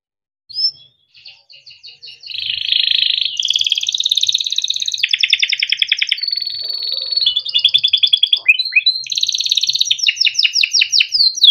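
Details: Yellow canary singing a long rolling song for training young birds: soft opening notes build into dense buzzy rolls and fast trills, then swooping phrases, with faint low sounds in the background.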